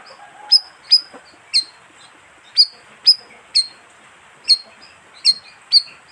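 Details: Lure call of the bayeman bird, which lives in groups of 15 to 20: a loose run of about ten shrill, high chirps with brief falling ends, steady hiss beneath.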